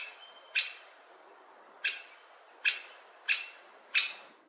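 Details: Five hard, clipped 'kik' calls from a great spotted woodpecker, spaced roughly a second apart, against a quiet background with a brief thin whistle early on.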